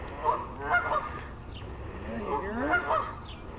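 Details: Geese strolling along a neighbour's roof, heard but hidden behind a tree: two bursts of nasal, harmonic honks, the first near the start and the second toward the end, over a low background hum.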